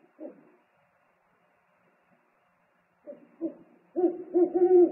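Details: Exchange of calls at an owl nest as the father brings food, 3 March 2019: a faint note, a long silence, then soft pulses building into loud, wavering low hoots.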